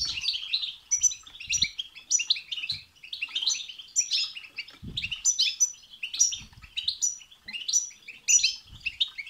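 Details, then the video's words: European goldfinch song intended to excite another goldfinch into singing, repeated bursts of fast liquid twittering and high chips roughly every second, energetic and continuous, with occasional low knocks. "بتبتة وستستة تخرج الحسون عن السيطره..... هيجان خرااافي تسببه هذه البتبتة نار على نار سيغرد حسونك"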